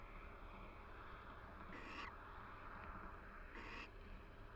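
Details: Two barn owls in a nest box at the University of Florida call quietly while preening each other in the breeding season. Two short breathy, hissing notes sound nearly two seconds apart against a steady low rumble.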